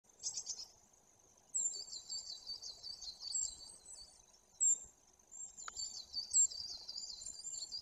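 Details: Great tit at a nest camera in Bory Tucholskie, Poland, 2 September 2022, seeming to address its watchers: fast series of high, hooked chattering notes in bursts, one sharp click midway, quiet background.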